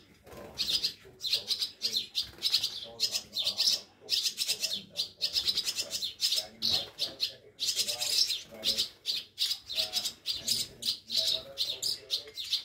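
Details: Rescued swallow chicks that fell from their nests, in a care station at Scharzfeld, Germany, during feeding on 1 August 2022: a dense chorus of harsh, high, buzzy chirps in rapid bursts, several birds overlapping, with faint human voices underneath.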